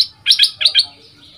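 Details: Young caged bulbul under decoy training, two months in the cage, gives four high, bright, clipped chirps in two quick pairs.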